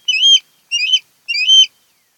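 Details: An osprey from the Kent Island, Maryland nest pair, on camera 08-10-2018, gives three quick, high chirping whistles with rising ends, evenly spaced over two seconds.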